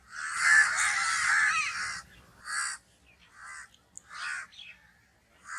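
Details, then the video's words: Crow calling: one long drawn-out raucous caw lasting about two seconds, followed by several shorter, clipped harsh caws at irregular gaps against a quiet background. "crow noises sounds"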